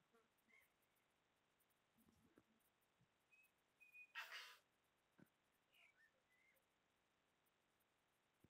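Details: Pair of tui displaying to each other in a backyard, giving a mating call, filmed on a tablet: scattered short whistles and chirps, a brief harsh broadband rasp near the middle, and soft low clicks, fairly quiet overall.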